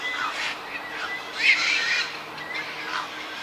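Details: Juvenile black-crowned night heron at a cormorant and heron colony, bird island between Yokojukken Shinsui Park and Sendaiborigawa Park, 1 June 2023: a few loud, harsh squawks, the strongest near the middle, with faint thin whistles.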